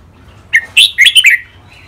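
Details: One fast phrase from a caged red-whiskered bulbul trained for song contests: five or six clipped, bubbling whistled notes run together in under a second, sharp and bright.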